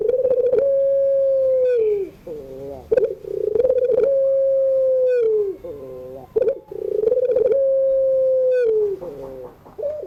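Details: Afternoon singing of a puter pelung, or Barbary dove, for birds learning to sing. Three cycles repeat about every three seconds: a stuttered onset, a long even held coo that sags at the end, then low gurgling rolled notes.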